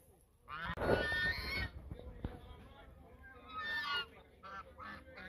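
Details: Geese at the mouth of the Sosúa River, Dominican Republic, calling in a duet: a loud nasal honking burst, a pause, then a second series of honks, with a man speaking and faint background noise.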